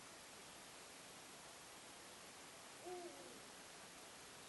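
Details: A Eurasian eagle-owl (Bubo bubo) calls about 4 a.m. on 26 March 2016 in Hagen, Germany: one short, deep hoot partway through, rising very slightly, against a steady wash of hiss.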